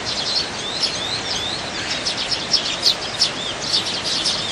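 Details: Dozens of wild Eurasian tree sparrows competing for food in winter keep up a dense, overlapping chatter of short, high chirps, several a second, with no clear rhythm over a light background hiss.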